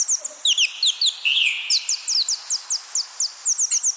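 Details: Parrot calling with rapid, high, clean chirps, each a short downward slide, repeated several times a second in quick bursts, with a brief rasping note in the middle.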